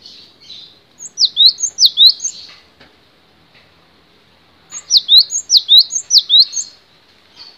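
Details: Cinereous tit singing two bursts of bright, repeated two-note whistled phrases, each note sliding steeply down then up, about six phrases per burst, separated by a few seconds of quiet.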